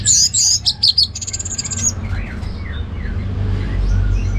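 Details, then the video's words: Orange-headed thrush song in ngeplong style, very high squeaky notes and a fast trill in quick succession, then fading to faint distant whistles over low rumbling noise. "Anis Merah Ngeplong Gacor"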